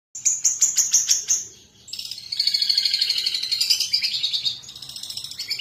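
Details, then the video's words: Long-tailed shrike in full song, used to prompt other birds to sing: a rapid series of sharp high chirps, then a continuous, varied chattering warble that rises and falls. "Pentet cendet gacor isian pancingan burung bahan pasti bunyi"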